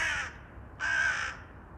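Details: Crow, described as agitated and restless, giving two harsh broad caws about half a second apart, with a woman's voice speaking softly afterward.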